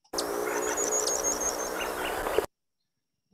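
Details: White-bellied woodstar (Chaetocercus mulsant) making a thin, very high buzzing whistle with its narrow tail feathers for about two seconds; another bird calls close by in the foreground over a noisy background.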